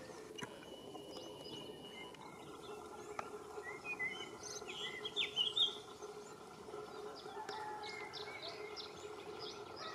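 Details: A Canary Islands chiffchaff gives a brief burst of high, chirpy notes, then a quicker series of short, even chips over a steady background hum. Recorded at Valleseco, Gran Canaria, in May 2022.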